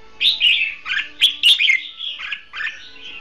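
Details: Caged decoy red-whiskered bulbul used for bird trapping, singing in a contest style: a run of distinct, loud, whistled and warbled notes, each phrase short, continuing for about three seconds over a low hum.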